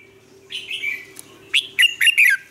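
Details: Vietnamese caged red-whiskered bulbul lure song for training: soft warbling, then a loud brisk phrase of four rolling whistled notes, over a steady low hum.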